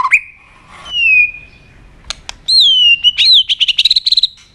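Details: White-rumped shama provoked to sing combatively; long pure whistles, one steady and one rising and falling, separated by sharp clicks, ending in a fast run of short repeated notes.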